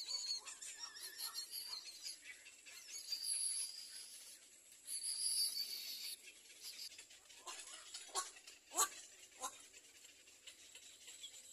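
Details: Little egret chicks trying to bite their mother give a harsh, scratchy chatter of rapid ticks and rasps, with a few louder sharp clacks near the end.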